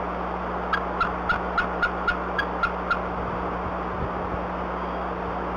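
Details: Adult female bald eagle calling at her nest before dawn while defending it from a harassing owl, raising her wings: a run of nine short, high, even piping notes about a third of a second apart, over steady low hum.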